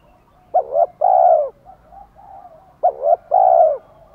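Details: Cooing of spotted doves, male and female, used to stir a captive wild-caught male to coo. Two phrases of a quick wobbling double note and a long drawn-out mellow coo, with faint low murmurs between them.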